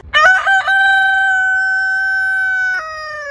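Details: Rooster crowing: a few quick stuttering notes open into one very long, level, pure-toned crow held over two seconds, ending with a brief downward step.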